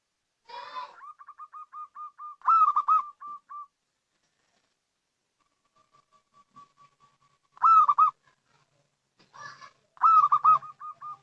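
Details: A local zebra dove gives soft, rapid staccato cooing, rolling mid-pitched notes in three bursts with quiet pauses between, a call played as a lure for other doves.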